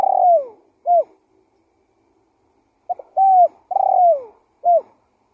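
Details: Vigorous spotted dove lure calling: mellow coos that fall away in pitch, each paired with a short hooked note, given in two bursts separated by a pause. Nothing else is heard.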